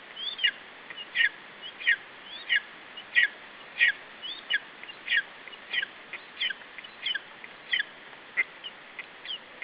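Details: Chick of the lesser spotted eagle at its Estonian nest, 21 July 2012, defending food against an adult: a steady run of about fourteen piercing high whistles, each with a drooping tail, repeated about every 0.6 seconds.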